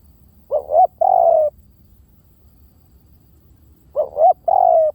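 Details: Decoy calling of a spotted dove: two cooing phrases about three and a half seconds apart, each a brief double note rising in pitch then a sustained gently descending coo.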